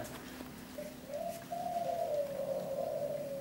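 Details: Local spotted dove (derkuku) at a breeding farm, singing in the three-note 'kuk 3' style: a low, hollow coo that begins softly, then swells into one long slurred note that wavers gently before fading. The background is quiet.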